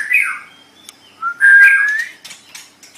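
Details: Short burst of white-rumped shama song for bird training: a slurred whistled phrase, a pause, then a loud rising whistle with scratchy overtones and trailing chips.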